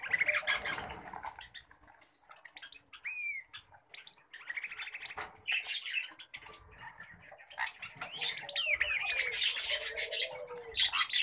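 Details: Pet common babblers give scattered squeaks and high chipping notes separated by quieter pauses. The calls build into a dense, scratchy chorus toward the end, with some rustling and fluttering.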